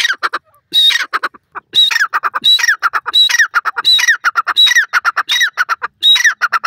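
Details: Repeated grey francolin calling, the bird known as teetar. Strident screechy phrases, each trailed by a string of rapid choppy notes, recur steadily about every 0.7 seconds across the whole stretch.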